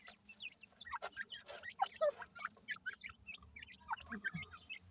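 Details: Chicks of grey francolin calling near the adult bird: dense, overlapping thin cheeping notes, many rising or falling, tumble out several per second with an occasional deeper cluck underneath.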